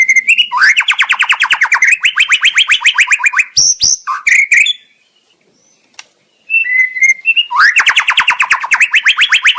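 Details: White-rumped shama singing to provoke a rival into bold reply: rapid, loud repeated trills of sharp rising notes, a few whistled slurs, about two seconds of silence, then the fast trill again.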